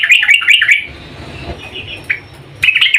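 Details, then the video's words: Female yellow-vented bulbul calling to the male: bursts of rapid, bubbly chattering notes around the first second, a short quiet stretch with a single sharp note, then renewed fast chatter at the end. "Kicau trucuk BETINA memanggil JANTAN"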